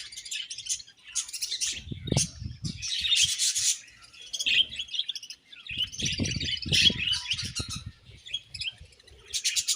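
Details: Several budgies chirp in bursts of buzzy, high warbling and sharp tweets, with rhythmic low knocking and rubbing sounds between phrases.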